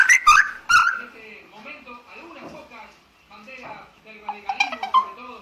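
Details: A pet cockatiel indoors gives a few loud, clear whistled notes, then softer chattering, speech-like warbles, with sharp whistles returning near the end in a quiet room.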